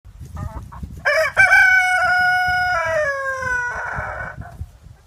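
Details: Rooster crowing loudly: a few faint short notes, then one long harmonic-rich crow in several segments, held level and then sliding downward, ending in a rougher, noisier tail.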